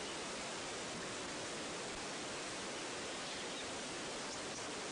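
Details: Steady broadband hiss like rushing water or static fills the recording, with no animal voice heard.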